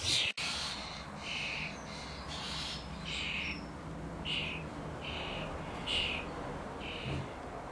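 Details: Starling chicks at feeding time: evenly spaced short, raspy begging notes, roughly one every half second to second, over a constant low hum, with a sharp click at the start.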